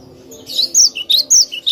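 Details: Cinereous tit singing, a recording meant for luring birds: a rapid run of bright whistled notes alternating high and lower pitches, some slurred up or down, about seven notes in under two seconds, with a faint low hum behind.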